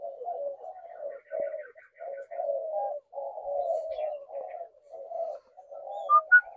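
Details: Spotted doves giving low coos in short, separated phrases with brief pauses between them, plus faint high chirps near the end.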